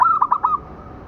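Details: Local zebra dove song for training other birds: a single short, rapid run of four or five mellow, rolling coos that ends quickly, followed by quiet.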